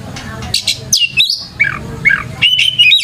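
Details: Oriental magpie-robin lure song for training young birds. Rapid mix of harsh chips, downslurred whistles and clear mid-pitched warbled notes, delivered in a quick uneven sequence over a low hum.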